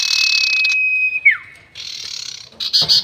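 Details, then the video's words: Sirtu bird, 'nyiul panjang' long whistle for luring birds into traps: an even whistle under a broad, hissing buzz, dropping in a steep slur, followed by more buzzy rasping and a harsh ending. "SIRTU NYIUL PANJANG ..... ‼️ Cocok Untuk Pikat || Suara Pancingan Sirtu"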